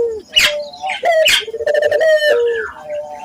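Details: Barbary dove, a local bird, cooing as a training lure for other doves: brief bright notes, then a long trembling, pulsed coo that slides downward into a soft drawn-out tail.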